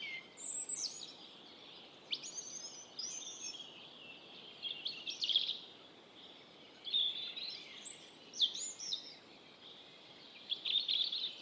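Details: Robin singing in the wild: separate phrases of clear, high whistles and twitters, each about a second long, with short pauses between them. Quiet background otherwise.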